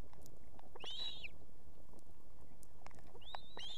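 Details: Nesting osprey female in Estonia calling her mate to bring food for two chicks at evening: one clear arched whistle, then after a pause a rising whistle running into another high note, over a low constant rumble.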